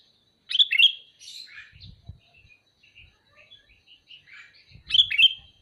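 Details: Repeated calling by a sooty-headed bulbul: loud, bubbly phrases at the start and end, with softer scattered chirps between them and faint low knocks.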